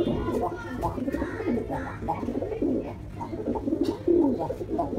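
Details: Angry pigeon fighting and slapping at a man, giving low, throaty cooing notes in quick bursts with a falling, slurred coo near the end, over a steady electrical hum and soft rustling.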